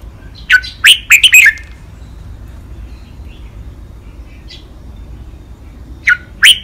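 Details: Red-whiskered bulbul kept as a cage bird, delivering its clear five-syllable 'lak wai' master phrase for bird training: a fast bubbly string of loud whistled notes, a long quiet gap with faint notes, then two sharp notes starting again.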